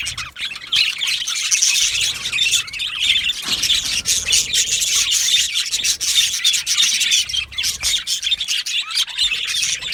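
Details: Aviary colony of yellow male budgies produces a steady wash of chattering warbles, grating squawks and quick ticking notes, with no pause across the stretch.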